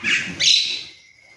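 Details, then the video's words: Pet common myna talking in human language: two short hoarse, breathy word-like utterances, the second louder and higher, then fading. "শালিক পাখি মানুষের ভাষায় কথা বলে"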